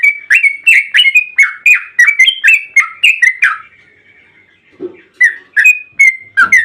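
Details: Yellow-vented bulbul (trucukan) singing excitedly as a lure for other bulbuls: a steady stream of about a dozen bubbly, slurred chirps roughly every third of a second, a brief pause, then more chirps.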